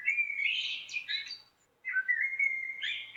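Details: Common blackbird with rich whistled phrases: a level fluting note slides into a high squeaky flourish, a short pause, then another smooth whistle rising at the end.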